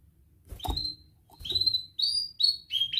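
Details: Canary song played as training for young canaries: a run of high whistled notes, some rising and some falling, mixed with sharp clicks and a low background rumble.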